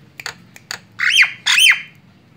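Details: Javan myna, white-eyed form, used as a lure call: a few short clicks, then two loud, harsh, rasping squawks in quick succession, each about a third of a second long.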